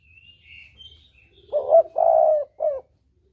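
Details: Hunting-lure call of a spotted dove in the double-'kuk' style: faint high bird whistles, then one loud three-note coo, a short hoarse note, a long drawn coo and a brief closing note.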